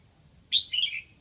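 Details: Caged decoy red-whiskered bulbul from Lang Son singing to attract wild bulbuls, giving a sharp high note then a warbled, descending run of whistled syllables, about three quarters of a second long, against low background hum.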